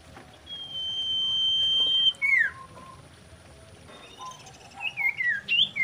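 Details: Mating song of a common iora: a long, steady, high whistle held for two seconds, then a sharp downward slur, a short pause, and a run of quick falling whistled notes at the end.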